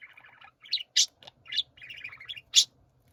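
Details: Pet budgerigars singing together: a soft rolling twitter followed by loud piercing chirps and a grating buzzy phrase.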